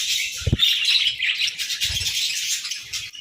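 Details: Several budgerigars chatter in the morning, a busy stream of high warbling chirps and squeaky notes, broken by a couple of soft low thuds.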